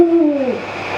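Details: Captive Eurasian eagle-owl giving a single deep hoot, a low steady tone that slides slightly downward and fades within about half a second, recorded indoors.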